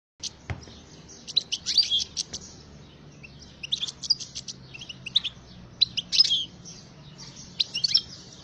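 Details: European goldfinch singing: rapid twittering phrases of high tinkling notes, buzzy trills and liquid chirps, delivered in bursts over eight seconds with brief pauses, one soft thump near the start.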